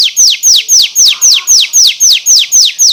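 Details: An oriental magpie-robin singing canary phrases repeats a loud, clear down-slurred whistle about four times a second in a very even rhythm.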